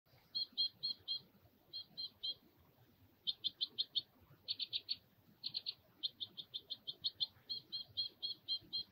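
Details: White-winged crossbills, seen while birding in Calgary, give dry, high chattering chips in quick bursts of three to eight notes, repeated steadily over a faint low rumble.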